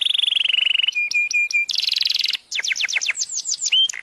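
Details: Several male canaries singing: rapid trilled rolls, first a fast pulsing trill sliding lower, then short repeated notes, a dense buzzy roll, and a run of quick downward-sweeping whistles, loud and clear with no other sounds.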